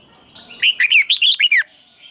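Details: Single fast phrase from a red-whiskered bulbul in competitive song, a lure for dawn training: about six clear, liquid whistles, looping up and down, delivered in under a second, with a steady high whine behind.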